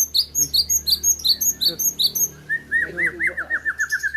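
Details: Aceh Gayo-bred white-rumped shama at a 2021 songbird contest: a quick series of sharp, very high whistled notes, then a lower string of arched, repeated slurred notes, among the voices of a crowd.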